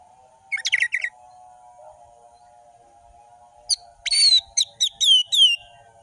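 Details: Orange-headed thrush in full-variation ngeplong song: a brief chatter, a pause, then a fast sequence of bright descending whistled notes, with a steady low tone running underneath throughout.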